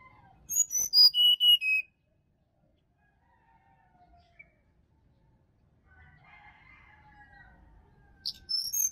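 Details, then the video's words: Wild sirdadu in the forests of Bali, recorded to coax a silent caged bird in the morning. A fast series of high notes falls in pitch, then a long quiet gap with faint warbling, and the phrase starts again. "SUARA ASLI HUTAN SRDC BALI COCOK UNTUK PANCINGAN DI PAGI HARI SRDC MALAS BUNYI"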